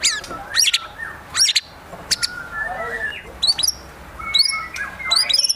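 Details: White-rumped shama singing actively in high excitement, firing off fill-in phrases in a luxurious style: sharp, high chirps and quick downward-sweeping notes in irregular bursts, with softer lower warbles between them.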